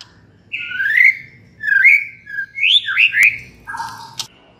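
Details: White-rumped shama singing to provoke other shamas to answer: a few loud whistled phrases, each sweeping up then curling down, followed by a lower buzzy note and a sharp click.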